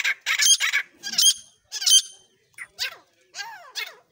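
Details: Partridge calling: harsh, buzzy bursts in quick groups of two or three, then thinner notes sliding downward, repeated about every half second with short silent gaps.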